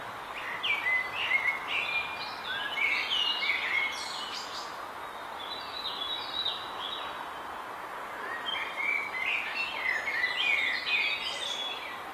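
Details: Eurasian nuthatch calling around its nest at Vrieselhof in Oelegem, 2 May 2020, with two bursts of quick, high chirping notes, several seconds apart, and a quieter gap between them, over constant background noise.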